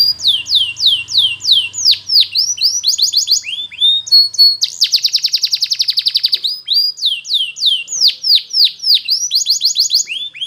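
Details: Singing Belgian canary offered as training song: repeated steep downslurred whistles, clipped chirps and a long, dense rattling trill mid-phrase before more sweeping notes, high-pitched with faint low hum behind.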